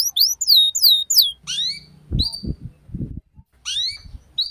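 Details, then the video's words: Canary song played as a lure for young birds learning ngeriwik: high swooping whistled slurs in bursts, broken by a few low knocking thuds mid-clip, then more rising sweeps. "Suara PANCINGAN Kenari Paud Belajar Bunyi Ngeriwik"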